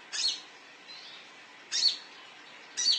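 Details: Olive-backed sunbird (konin) calling as a lure for other birds: three sharp, high, thin chirps, each about a second apart, with a faint softer note between.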